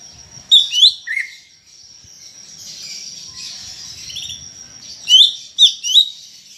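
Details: Greater green leafbird singing, used to encourage other leafbirds to sing: bright sharp whistled phrases at the start and end, with a soft high continuous chatter between them.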